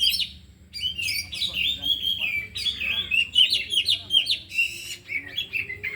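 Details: Four caged oriental magpie-robins sing during afternoon training, all active and showing their 'isian' material. Continuous rich warbling of slurred whistles and harsh chirps runs almost without a break after a brief quiet opening.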